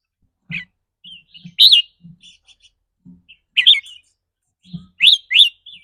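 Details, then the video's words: Red-whiskered bulbul giving rapid 'rik' song, a style that varies between rapid and doubled with the bird's mood each day; short bright whistled bursts repeated roughly every one to two seconds, with soft low knocks between phrases. "ริ๊กรัวๆ คือเรื่องปกติ"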